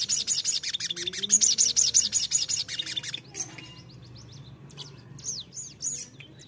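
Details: Newly caught, untamed crimson sunbird giving a fast run of thin, very high chirps, about three a second, then scattered sharp upslurred notes; used as a lure to make sunbirds sing often.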